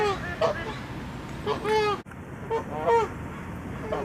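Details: Angry Canada geese attacking and fighting among their flock, with loud honking: scattered nasal honks in pairs and threes, a sharp click midway, steady background hiss.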